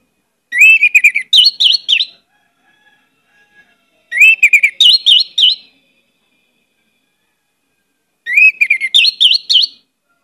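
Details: Orange-headed thrush in full song on a lure recording with many varied phrases: three similar phrases about four seconds apart, each a rising whistle, then a fast run of sharp, chirpy notes.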